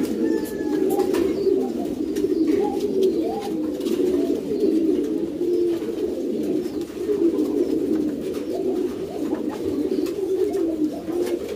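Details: Loft of pouter pigeons, ornamental domestic rock doves: continuous low rolling coos from several birds overlapping without pause, a brief faint whistle near the start, scattered taps and shuffling.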